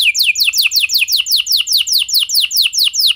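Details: Lure song of a canary, meant to set other canaries singing, made of loud, high, downward-slurred notes repeated rapidly about six times per second in an even, rolling series.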